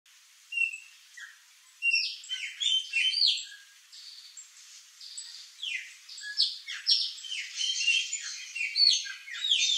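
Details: A flock of chopi blackbirds feeding on fruit in a backyard: many overlapping clear whistles, chirps and slurred notes, some rising and some falling, forming a busy, chattering chorus that grows denser toward the end.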